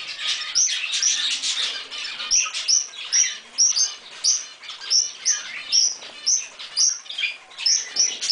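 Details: A pet monk parakeet, one of a pair, eating a strawberry, gives rapid, high, chirpy calls in a steady stream of short notes.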